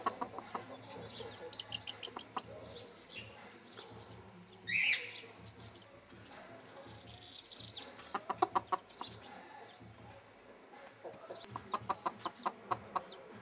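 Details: Bantam hen and her chicks: soft peeping at first, a sharp loud chick squeal, then bursts of rapid clucking near the middle and again at the end.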